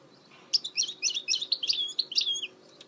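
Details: Goldfinch mule song: a continuous rapid phrase of sharp twittering chips and liquid high notes, ending in a short drawn-out whistle, lasting about two seconds.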